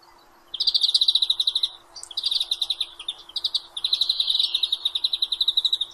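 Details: Song of a European greenfinch: loud, rapid trills of ringing chirps in three long runs, each a steady rattle of high notes with short pauses between.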